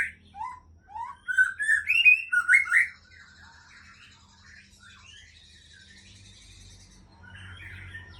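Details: White-rumped shama, a Murai Aceh breeding hen, gives a rich three-second run of varied whistled and warbled notes, climbing then tumbling, followed by softer, sparse chirps and quiet high twitters over faint hum.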